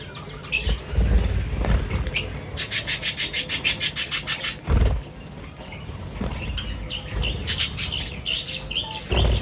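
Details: Birds gathering at feeding time: a fast, high, buzzy run of evenly spaced notes lasts about two seconds, with scattered short chirps, soft rubbing noises and low thumps around it.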